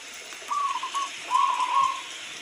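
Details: Local zebra dove cooing against a steady hiss of falling rain: two short, wavering, mid-pitched phrases about a second apart.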